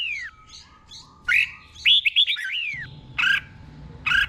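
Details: Red-whiskered bulbul giving slow, clear doubled song for cage birds to copy. Soft descending whistles lead into a loud liquid phrase, followed by two brief sharp chirps after a pause.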